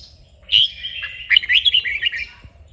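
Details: Red-whiskered bulbul singing a kích bổi phrase for song training. One sharp whistled note opens, then a pause, then a fast, loud, liquid string of jumbled whistles lasting about a second.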